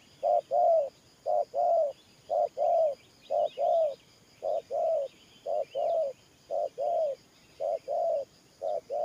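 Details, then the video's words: Thổ Pha style cooing from a spotted dove: evenly repeated low double notes, a clipped first coo and a fuller falling second, with scattered soft bird twitters behind. "Thổ Pha Nước Gù AE Tự Thẩm.Clip288_ Nết Gù coi sướng mắt"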